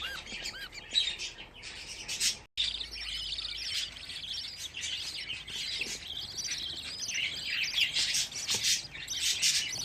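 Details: Fifteen budgerigar chicks chatter in dense warbling squeaks and chirps, briefly cut by a short silence, then resume in a steady busy chorus.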